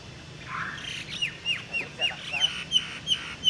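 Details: Crested myna (Acridotheres cristatellus) in the Ayer Itam Dam area, Penang Island, Malaysia, 2002, gives a rapid series of short, sharp, squeaky whistled notes, about three per second, mixed with harsh chatter.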